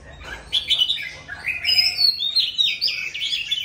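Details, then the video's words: Mature wild-caught Oriental magpie-robin singing loudly: a rich, varied run of clear whistled notes and quick slurred phrases, rising and falling, with a few buzzy twitters near the end. "Choè than già rừng HÓT TO cả làng nghe"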